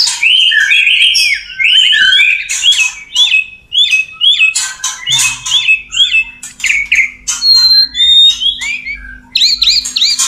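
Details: Courtship song of a male white-rumped shama to a female: looping, warbled whistles repeated in quick succession, broken by harsh chattering bursts and a few high, piercing notes.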